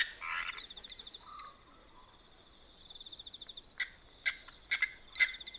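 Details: Blacksmith lapwings at a dam at night, Manyeleti Game Reserve, South Africa, giving loud, abrupt metallic 'tink' notes in irregular bursts, like a hammer on an anvil, over a thin continuous insect trill and a brief rough opening call.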